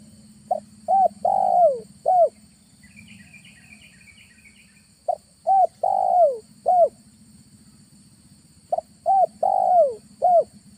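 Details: Spotted dove lure call, recorded in August in a neighbouring village during an afternoon trapping session: mellow four-note coos around 600–800, short notes then a long falling slurred coo, phrases repeated three times, faint chirping birds and low engine hum behind.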